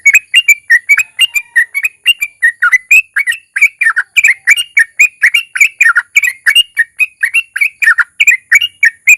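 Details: Sooty-headed bulbul singing a long 'ropel' with 'narung', played to make other bulbuls sing often; brisk, unbroken chatter of short warbling chirps throughout.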